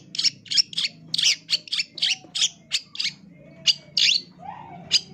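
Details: Long-tailed shrike (cendet) loud training song; rapid series of harsh, buzzy high bursts repeated several times per second, then a pause and a few scattered notes, with faint lower whistles behind.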